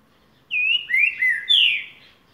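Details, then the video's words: Green-winged saltator of the soft-voiced "boiadeiro" song type gives a short song of four clear, sliding, rising whistled phrases over about two seconds; otherwise quiet. "Trinca ferro boca mole"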